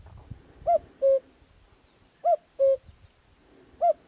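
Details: A wild common cuckoo in Extremadura gives its familiar falling two-note 'cu-coo', a higher note then a lower one, repeated about every one and a half seconds over a faint background hiss.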